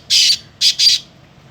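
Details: Home-kept Black francolin, known locally as Sindhi pheasant or kala teetar, gives three harsh, rasping notes: a longer first burst, a short pause, then two short notes in quick succession.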